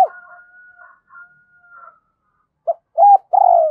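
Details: Caged decoy spotted dove cooing to stir up wild doves: a faint drawn-out tone with soft notes, a gap, then three strong, low, hollow coos, the last one long and falling.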